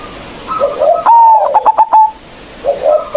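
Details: Big-voiced local zebra dove used to provoke rivals: quiet cooing rises into a strong whistled note and a quick stutter of about five short bursts, ending in a sustained tone before soft coos return.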